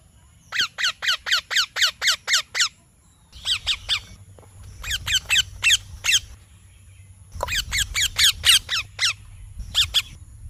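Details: Parrot repeats harsh, buzzy descending chirps at about four per second in long runs, with brief breaks and a low background rumble during the later runs.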